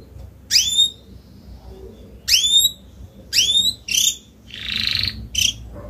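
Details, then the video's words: An adult Spanish-breed canary of salsa colour, just coming out of its moult and singing a lot, gives bright, sharply rising whistled notes in short bursts every second or two, with a breathy trill near the end. "CANTO CANÁRIO SALSA ESPANHOL/ESPANHOLINHA"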